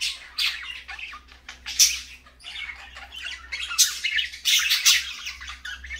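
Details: Several parakeets calling in the morning: busy overlapping chatter of harsh squawks and shrill chirps with little pause, over a low constant hum.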